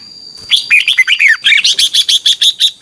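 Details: Red-whiskered bulbul in morning song, a strong "ché" style voice: a few quick looping whistled notes, then a rapid, even series of about ten sharp chirps, against a thin constant high hum.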